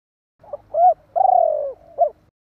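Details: A single phrase from a spotted dove calling to provoke rival doves: a soft lead-in note, a rounded coo, a long purring slide downward, and a brief final coo, over a faint low rumble.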